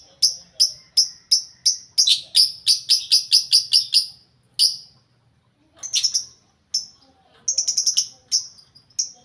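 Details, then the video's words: Lovebirds packed into one shared cage, chattering loudly; a fast string of piercing chirps, a short pause, then further quick clusters of high squeaks. "Ginilah Akibat Burung Lovebird Di Buat Satu Kandang Bikin Ribut Sampek Gacor Kali"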